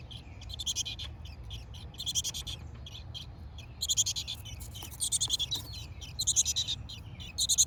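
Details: Chickadee nestlings in a backyard birdhouse (hardiness zone 6a) give bursts of high, buzzy chirping, a rapid chorus repeated every second or so, as the mother lands on a nearby feeder; a fledgling pokes its head out; low background rumble.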